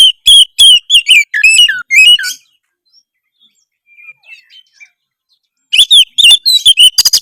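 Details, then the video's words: Harsh rival-provoking song of an Oriental magpie-robin: a burst of clipped whistles and rasping chirps, then a quiet lull with faint soft notes, before another fast scratchy burst resumes. "suara kacer kasar memancing lawan"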